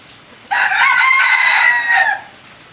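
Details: Red junglefowl hybrid kept in captivity gives one long, harsh, sustained crow lasting about one and a half seconds, rising slightly at the end, over a constant hiss.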